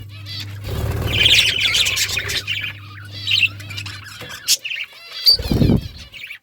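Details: Budgerigars, pet Australian parrots, give a dense burst of warbling chatter, then scattered squawks and chirps, with a low hum and a brief low thump near the end.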